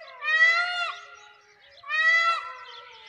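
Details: A blue peacock in a small Rajasthan village, India, on the morning of 1 May 2021 in bad weather, gives two loud, nasal, wailing calls about a second and a half apart, each rich and drawn out with a slight fall.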